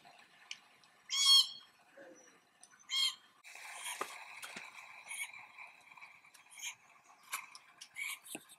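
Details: Glossy black cockatoo family feeding on hard seeds in an Allocasuarina tree, the fledgling noisily calling for food: harsh, grating squawks in scattered bursts, with softer crackling sounds between.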